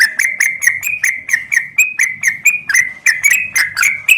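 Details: Female yellow-vented bulbul calling a male, giving an unbroken series of loud, quick, bubbly chirped notes, about four per second, slightly rising and falling in pitch.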